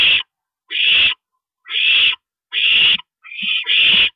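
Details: During a parent owl's nighttime stopover at the nest, 2:40 AM, April 22 2012: short, harsh, hissing screeches repeat about once a second, and the last one doubles.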